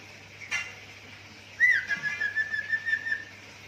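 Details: Budgerigar kept as a pet, mimicking the sounds of a zebra dove and a gecko: a short burst, then a sharp upslurred whistle held as a steady, slightly wavering tone for over a second.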